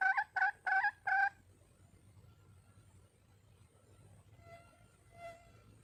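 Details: Wild red junglefowl hen calling for a male: four quick clucking notes at the start, then near silence with faint distant notes.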